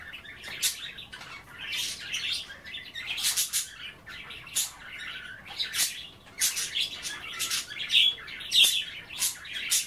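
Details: Budgerigars kept as pets chatter indoors around a kale bath, nibbling leaves and water; rapid irregular series of scratchy squawks and chirps, with a couple of clear whistled notes near the end.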